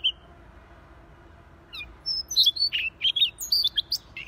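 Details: Siberian rubythroat in lively gacor song: one brief note, a pause, then from about two seconds a quick burst of bright, varied high whistles and sharp chips.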